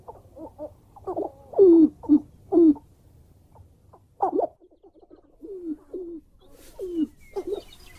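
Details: Black grouse giving a soft, low bubbling song: rounded cooing notes in short runs, loudest in a cluster of three near the start, then fainter gurgling phrases after a short pause.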